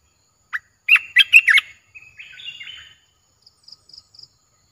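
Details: A newly acquired captive olive-winged bulbul, recorded 29 June 2021, gives a quick burst of throaty, bubbling chatter, then a softer warbled phrase, followed by a few faint high tinkling notes.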